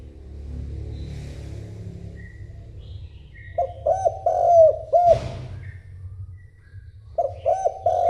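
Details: Spotted dove cooing to attract a mate: a series of deep, throaty coos in a quick rhythmic run, a pause with a brief noise burst, then another coo phrase begins, over a steady low rumble.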